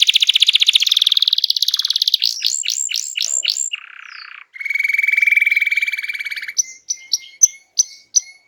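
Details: Energetic canary song for prompting silent birds to sing: a rapid buzzy trill, a run of rising slurred whistles, a lower steady rattling trill, then spaced sharp chips with short pauses between.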